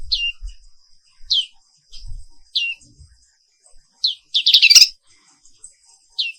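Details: Morning song of the black-capped white-eye (Pleci Papua Wiklus): spaced single high down-slurred notes about every second, then a loud rapid twittering burst, with faint low knocks.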